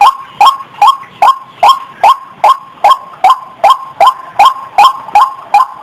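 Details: Rhythmic croaking of a white-breasted waterhen, known locally as ruak-ruak: hoarse double-noted calls repeated in a regular pulse of about two and a half per second.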